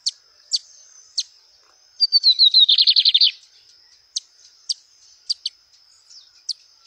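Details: Lined seedeater singing in nature: a run of thin descending notes slides into a loud, rapid buzzy trill of about a dozen pulses, with sharp high chips before and after over a steady high insect-like whine.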